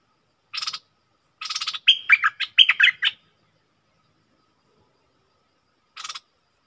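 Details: Decoy bulbul singing toward wild birds: a brief burst of quick, warbled, slurred notes lasting about a second, framed by short rasping noise bursts, then silence before another rasp.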